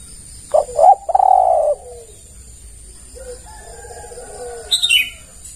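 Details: Spotted dove lure call to draw other doves: a loud phrase of two clipped notes and a long buzzy coo, answered by a softer, rolling coo farther off, with a brief high chirp at the end.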